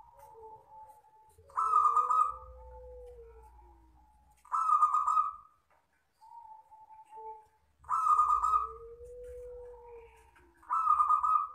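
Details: Zebra dove of local wild stock, singing the long 'kristal' lure song. Loud, rough trilled coos come roughly every three seconds. Gentler mid-pitched tones and a falling low whistle-like note fill the gaps.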